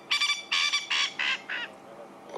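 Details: A male francolin at sunset in April in Sabi Sand, South Africa, gives harsh, grating calls in quick bursts, a territorial call telling other males this is his place; another male answers farther away.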